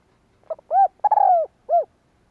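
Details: Spotted dove giving its coo to stimulate males in training: a quiet stuttered intro, a round coo, a long quavering descending coo, then one short coo after a pause.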